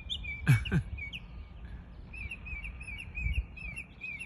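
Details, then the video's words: A mockingbird mimics many different sounds in a rapid run of short, high chirping notes after two dull thumps, over a steady low rumble. "Mockingbird…so amazing how they can copy almost any sounds from other birds…"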